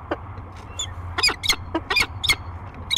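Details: Peregrine falcon pair meeting in the nest box at Great Spirit Bluff on 15 March 2023: a series of short, sharp, harmonic chipping calls in irregular bursts, some paired, over a steady low hum.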